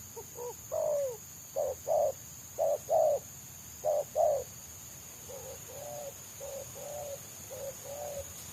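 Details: Wild spotted dove prized by bird trappers, singing in the selang nguku style that was tried with a decoy to lure it down: soft, hollow coos in short bursts of two or three, loud at first, then fainter, over a constant high hum.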